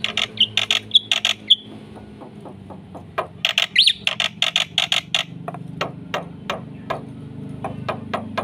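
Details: Black-winged myna in lively, varied song meant to stimulate other birds: fast harsh rasping bursts mixed with short whistles, followed by spaced dry clicks and scattered squawks.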